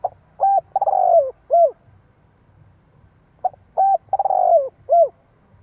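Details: Spotted dove used as a decoy to lure wild doves, calling in the prized hạp voice style. It gives two low cooing phrases about three and a half seconds apart, each a short note, then a rolling purred coo, then a clipped final note, against a quiet background.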